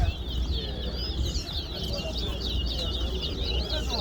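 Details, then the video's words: Chestnut-bellied seed finch (towa towa) competing in a singing match at Guyana National Stadium; steady high-pitched warbling of quick chirps and slurs, accompanied by a low rumbling background and faint human chatter. "Clash Of The Titans Towa Towa Bird Competition At Guyana National Stadium"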